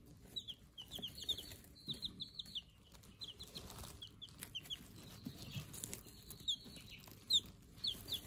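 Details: Brooder of day-old Silver Laced Wyandotte chicks: many shrill, short descending peeps in quick irregular series, often doubled or tripled, with a continuous faint hum beneath.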